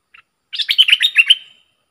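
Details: A decoy bulbul, recorded 22 August 2021. A faint note is followed by one brisk phrase of about a second: quick, warbling, bubbly notes ending in a fading trill. Otherwise silent.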